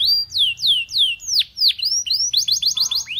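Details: Song of a Belgian canary encouraging other canaries to sing: loud, clear whistled notes, each sliding sharply downward, given about three per second, then a quicker series of short rising-and-falling notes.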